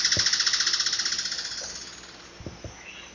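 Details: Alagoas foliage-gleaner (Philydor novaesi), a critically endangered bird endemic to Alagoas and Pernambuco, Brazil, sings a fast, high, evenly paced string of about two dozen sharp notes that fades over two seconds, with a few soft knocks afterward.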